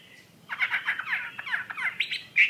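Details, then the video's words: Wambi mandarin bird singing actively, somewhat quieter: a brief burst of quick, chirpy, slurred notes over a faint background hiss, ending with one louder whistled note. "Burung Wambi Mandarin Gacor"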